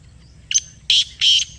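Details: Black francolin (kala teetar) answering a played call: a brief thin opening note, then two loud, harsh, buzzy notes about a third of a second apart, over low background rumble.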